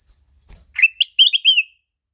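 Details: A clear, sweet song phrase from a ruby-throated bulbul: a rising slur, a high note, then three or four rolling warbled whistles ending in a longer falling trill. A soft tap is heard beforehand.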